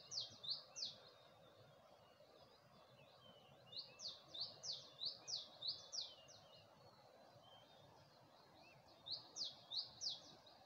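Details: Early morning birdsong at Gulmit in Hunza with a view of the Passu cones: three bursts of high, bright, falling chirps, each four to seven notes delivered rapidly, separated by quiet gaps over soft ambient noise.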